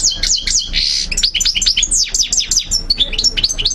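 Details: European goldfinch song meant to teach birds: a dense, lively stream of high sliding chirps and tinkling notes, with one rough buzzy burst early on.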